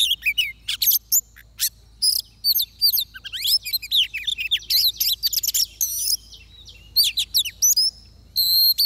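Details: Energetic oriental magpie-robin song recorded in a trapping context, dense loud whistles, slurs and chattering notes poured out in long bursts, broken by a short pause before resuming.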